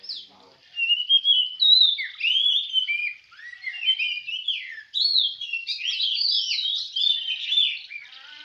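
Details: At a songbird contest in Semende Perapau, an Oriental magpie-robin (kacer) sings a long, varied run of clear whistles, slurred downward notes and quick warbling twitters, nearly continuous after a quiet first second.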